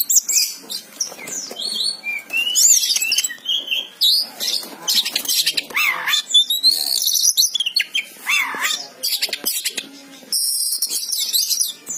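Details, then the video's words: Oriental magpie-robin (kacer) singing in gacor style, a vigorous, varied run of high whistles, sweeping slurs and rapid chattering notes in bursts with brief pauses, sharp rising and falling phrases mid-sequence. "Suara burung kacer gacor"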